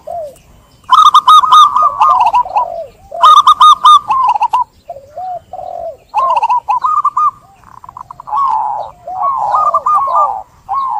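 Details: Repeated cooing song of zebra doves, meant as a lure to prompt a silent dove to sing: bright stuttering coo bursts over lower curving notes, in phrases of one to two seconds.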